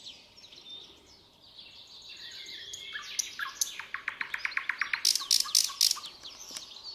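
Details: At sunrise, a common nightingale sings a rich, varied phrase of whistles and buzzy notes that builds into a fast, loud run of repeated chirps, with other birds faintly behind.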